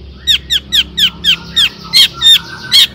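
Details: Long-tailed shrike singing in the repeated 'toet toet' style meant to provoke other shrikes: a steady run of sharp, down-slurred notes, about four a second, some doubled and louder.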